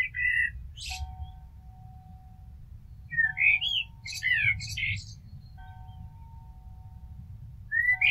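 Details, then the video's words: Blackbird phrases of warbled, slurred whistles and squeaky high notes, accompanied by a steady low hum of two sustained tones running through much of the recording over a rumbling background. "Amsel Gesang - Merle Noir Chant - Blackbird Song - Mirlo Cantando"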